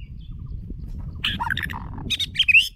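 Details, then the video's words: White-rumped shama lure bird singing a brief jumble of scratchy, warbled notes ending in a high whistled flourish, over steady low background noise. "Chòe lửa Mồi hót cực đỉnh ✦ Luyện giọng chòe lửa"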